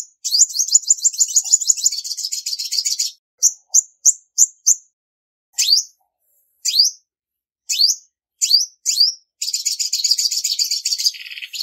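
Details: Female olive-backed sunbird singing to excite males, recorded cleanly: a long rapid buzzy trill of about three seconds, then short high notes and several upslurred chirps, ending in another fast buzzing trill.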